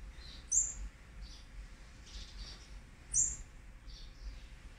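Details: Olive-backed sunbird nestlings of a fourth brood on their 18th day of feeding, 8 March 2020: two sharp, very high chirps about 2.6 seconds apart, with softer thin peeps between and a low steady hum beneath.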